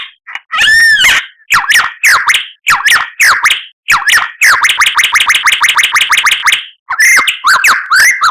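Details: White-rumped shama song of varied melodic phrases: a ringing harmonic whistle, downslurred chips, then a fast run of sharp repeated notes, ending in rising and falling scratchy whistles.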